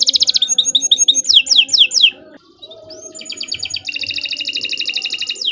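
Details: Master canary song used for training other birds: rapid trilled tours of high notes, then downward-sweeping whistles, a brief pause near the middle, and a long fast buzzy trill at the end.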